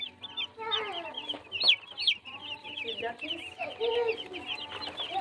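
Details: Baby chicks peeping in a chorus of many high, short, downward-slurred cheeps, with a few lower clucking notes and a faint steady hum beneath.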